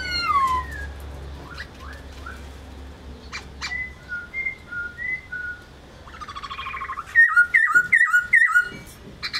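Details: Song of a laughingthrush: a descending whistled slur, then a series of short clear whistled notes alternating between two pitches, ending in a fast, loud burst of sharp repeated chirps over a faint low hum.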